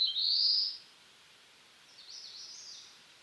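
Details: ['Black-throated blue warbler singing in eastern North America: a loud, buzzy phrase that rises steeply, then a pause, then a fainter, higher buzzy phrase that wavers before fading out.']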